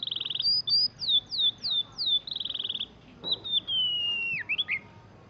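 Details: Kept juvenile oriental magpie-robin, newly moulted from chick feathers, delivers mimicked canary rolls: a fast trill, a run of sharp descending whistled slurs, another rapid roll, then a long drawn whistle sliding down at the end.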